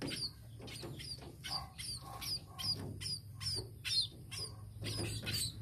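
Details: A tame sparrow gives quick, high chirps, about two or three each second, over a steady low hum.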